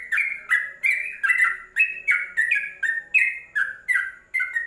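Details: Bubbly song of a Yellow-vented bulbul, kept as a training recording for cage birds: steady strings of paired whistled notes, one higher then one lower, repeated in quick succession without pause.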